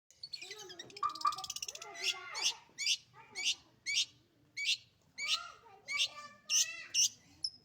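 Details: Pet long-tailed shrike singing vigorously: a varied run of sharp, high chattering notes and short whistles, with lower slurred notes between bursts, delivered roughly twice a second.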